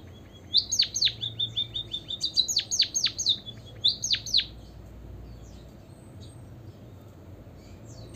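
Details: Lure song of a white-headed munia to get other birds singing: a short series of level piping notes, then clusters of steep downward-swept chirps for about four seconds, followed by near quiet with faint distant chirps.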